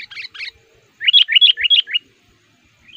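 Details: Decoy sooty-headed bulbul for luring wild males in the forest, said to be fierce and busy singing; a few chirps, then a tight run of five liquid, rising-falling notes.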